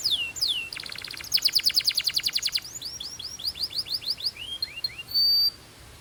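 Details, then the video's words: Belgian canary singing: descending whistles, then a dense metallic rattling trill, a series of quick rising chirps, and a final sustained high whistled note. "This BELGIAN CANARY SINGS BEAUTIFULLY - Heats Up Quickly!"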